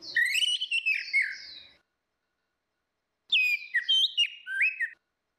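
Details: Lure of female and male orange-headed thrush singing in ngeplong style: two loud phrases of quick fluty whistles and slurred warbles, about three seconds apart, with silence between.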